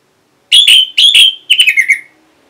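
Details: Orange-headed thrush (anis merah) answering a lure sound with two long, strong whistled notes, then a fast string of shorter notes that slide lower, all within about a second and a half.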